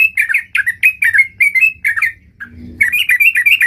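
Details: Sooty-headed bulbul in lively full-variation 'gacor' song, giving loud warbled chirps in quick clusters, then a brief pause with low rustling before the rapid notes resume.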